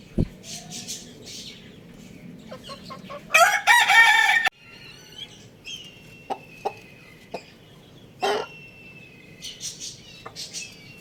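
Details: Lohmann Brown rooster giving a single loud, harsh crow of just over a second, rich in harmonics, set among scattered clucks, clicks and faint chirping of other birds nearby.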